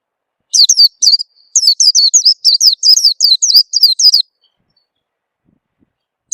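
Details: Lure call of an Oriental white-eye, meant to get birds singing: a rapid string of about a dozen high, thin, down-slurred chirps in quick succession, then several seconds of silence.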